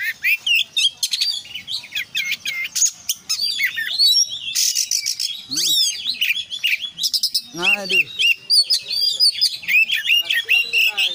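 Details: Oriental magpie-robin in a long, varied 'full isian' song, rapid whistles and chips with clicking rattles and some lower, harsh buzzy notes appearing midway.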